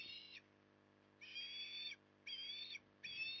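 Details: Osprey calling at evening feeding time, Port Lincoln, Australia, 9 October 2020: loud, strained, whistled wheezes, each held for about half a second, repeated three times in quick succession over a quiet background hum.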